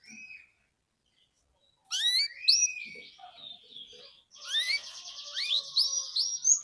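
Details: Canary song used to coach young canaries. Short chirps and gap, then rising and falling slurred whistles over a dense buzzy trill.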